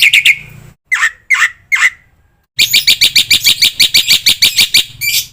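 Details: Black-winged myna training song full of fill-ins, used to get other mynas singing: a brief trill, three separated falling slurred whistles, a silence, then a long fast chattering series.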